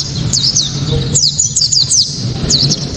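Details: Sharp, clear 'tembakan' song of a white-eye, used as a lure to set other white-eyes singing: a few quick high slurred chirps, a short scattered burst, then two more notes, with a constant low background hum.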